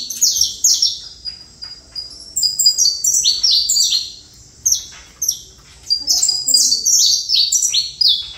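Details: High, sharp, downward-sweeping chirps from a saffron finch, delivered in short clusters with brief pauses, then a denser closing run.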